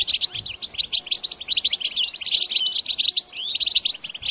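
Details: Goldfinch song intended to make goldfinches sing and breed: a steady stream of fast, tinkling chirps and short whistled slurs with scarcely a break.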